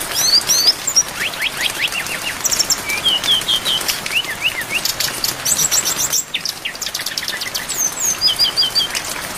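A brown-chested jungle flycatcher sings fast, varied phrases of bright whistles and slurred high notes without a break, over a steady patter of rain.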